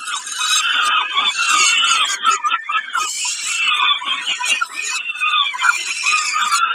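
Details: At Kawęczyn on 20 May 2022, a peregrine falcon screeches harshly during a snack, producing steady rasping squeals that swell and fade with little silence between them.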